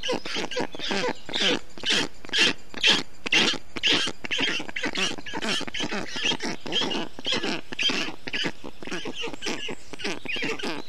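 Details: Hot June day, 2021, at an Estonian black stork nest, chicks calling while a parent brings water and wet grass; a long, very regular train of harsh, pulsed calls about two per second.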